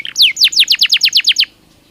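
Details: Singing Belgian canary: a single phrase of nine or ten bright, steeply falling whistled notes delivered rapidly and evenly in about one and a half seconds.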